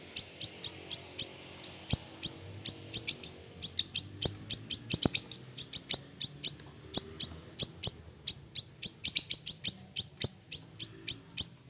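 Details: Small siri-siri bird recorded for training other birds: steady, rapid series of shrill, high, sharp chips repeated several times a second without break.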